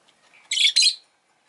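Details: Pet rosy-faced lovebird giving two harsh, shrill, buzzy chirps in quick succession, each about a quarter second long, with a brief gap between them and quiet before and after.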